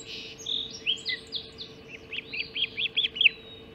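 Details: Ospreys on the Hog Island nest during the 04:50 breakfast mackerel delivery, 30 June 2016: high slurred whistles give way to a fast, evenly spaced string of about eight piercing cheeping notes, against a low constant hum.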